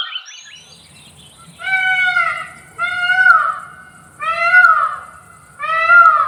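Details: Adult male Indian peafowl giving its powerful, high-pitched, far-carrying call: four loud, rich, wailing notes, each arched in pitch and about a second long, repeated roughly every 1.3 seconds, after a few faint short notes, over a low steady hum.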